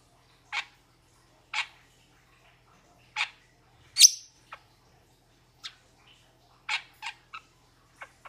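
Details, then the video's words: Metallic starling giving spaced, sharp nasal chips about once a second, with one bright whistled note midway and quicker chips toward the end; quiet background. "Metallic Starling Aplonis Sounds ! Metallic Starling Aplonis Song Metallic Starling Aplonis Call !"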